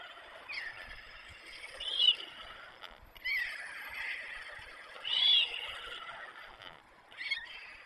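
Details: White stork young on the nest with their parents at Przygodzice, 24 July 2021: drawn-out rasping, hissing wheezes rising and falling in long bouts, with louder peaks every few seconds.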